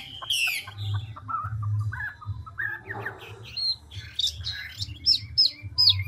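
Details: Chinese hwamei, a big wild-caught adult, singing with constant voice changes: a loud rasping burst, then softer whistled slurs and short clear rising notes, some more muffled, over a steady low hum.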